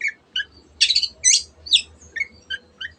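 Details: Long-tailed shrike (cendet) singing 'gacor' to encourage quiet birds to join in. Short squeaky whistles, two loud harsh bursts near the start, then spaced high chirps, over a low hum.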